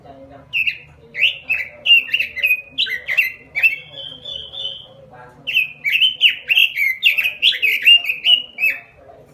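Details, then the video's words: Robin in energetic gacor song: a busy flow of loud, down-slurred whistled notes, a brief held whistle in the middle, then another long, rapid run of bright chirps. "SUARA BURUNG ROBIN GACOR"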